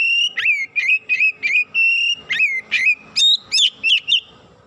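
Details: Excited Oriental magpie-robin giving a rapid run of clear, high whistled notes, about three per second, some flat and others sharply rising, over a faint low hum.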